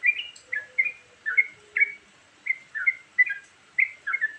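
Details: Bulbul-type varied lure song from a Yellow-vented Bulbul: paired bright chirps repeated about twice a second over a light background hiss, with a faint low whistle early on.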